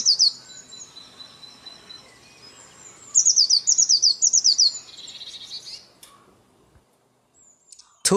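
Blue tit singing very high, thin notes, then a quick run of bright repeated trill notes and a brief buzzy phrase, ending with a sharp click.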